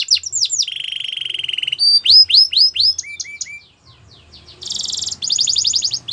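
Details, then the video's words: Canary song, Belgian canary, used for singing training: quick chirps, a sustained buzzy trill, rising whistled notes, a brief quiet pause, then dense high rolling trills. "Melodies canary bird song | Belgian canary singing"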